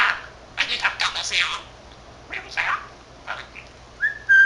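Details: Talking pet budgerigar, a 13-month-old male, babbling to himself; speech-like raspy phrases in three groups, then a clear short whistled note at the end.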